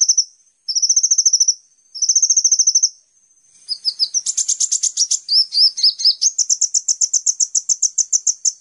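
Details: Olive-backed sunbird (Cinnyris jugularis) song: very high, thin, rapid trills in short bursts, then a longer run of sharp twittering notes repeated several times a second.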